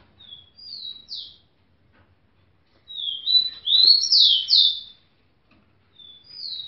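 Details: Female tico-tico, a rufous-collared sparrow, asking to mate toward a hand. Brief high whistled notes open the clip. After a silent gap comes a loud run of sliding, slurred whistles, and a new phrase starts at the end.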